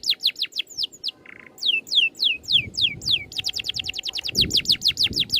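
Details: Oriental magpie-robin 'ngerol' song for bird training: clipped descending whistles repeated quickly, a short buzzy burst, then a long fast roll of tightly packed falling notes, with a soft low hum behind.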